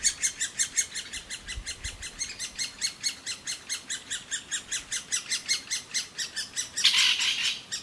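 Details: Nestling great spotted woodpeckers in a cavity in an old aspen, calling nonstop for food as the parent pair brings it; a steady stream of high, shrill chirps about four per second, with a brief rustling burst near the end.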